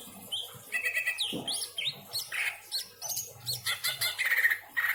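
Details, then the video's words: Pet greater green leafbird in Indramayu, Indonesia, pouring out a busy, richly filled song of rapid chirps, buzzy notes and swooping whistles in quick succession, with a faint low hum. "burung cucak ijo isian mantap!!!"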